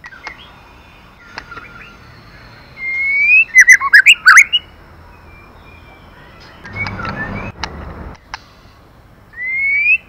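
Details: White-rumped shama female singing to stimulate a male: a rising whistled slur, a burst of rapid sharp chattering notes, then quieter scattered notes, a noisy rustle, and a final rising whistle.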